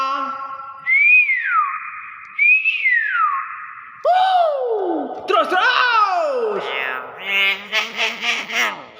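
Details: Nias hill myna opens with two clear, descending arched whistles, then shifts into a jumble of gliding, voice-like chatter and broken harmonic notes.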